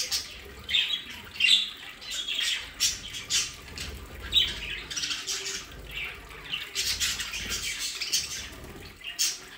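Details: Captive budgerigars near The Hague, Netherlands, in an aviary play area: loud clusters of harsh squawks and chirps, separated by brief quieter gaps, with occasional soft thumps and wing flutters.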